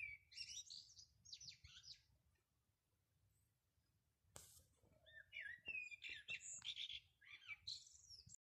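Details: Bird singing on a farmyard roof, 13 March 2020: bursts of high, varied chirps and short warbled phrases, a quiet pause midway, then a livelier run of bright, scratchy notes over a faint low hum.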